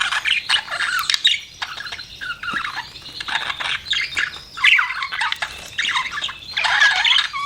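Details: Budgerigar chirping in uneven bursts of scratchy warbling and squeaky notes, with quieter stretches between louder phrases.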